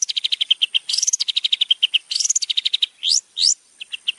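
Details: Long-tailed shrike master song for training contest birds: rapid trains of short chirps near the top of the range, broken by buzzy rising notes and two sharp upward-sweeping whistles, with a brief gap before more chirps.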